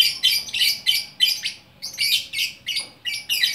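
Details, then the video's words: Lovebird, a lone fighter bird in Bukittinggi, West Sumatra, delivering rapid orkestra-style chatter: harsh, buzzy high chirps repeated in quick clipped bursts, roughly every third of a second. "Burung Lovebird Gacor Orkestra"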